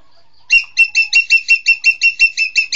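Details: Green magpie (engkek keling) starting a rapid run of harsh, buzzy squawks after a quiet half second, about a dozen notes at an even, quick pace.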